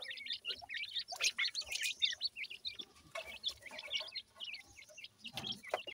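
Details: Feeding time for Pakistani teetar partridge chicks, which utter shrill, upward-flicking peeps in fast irregular series, with several brief louder scuffling noises.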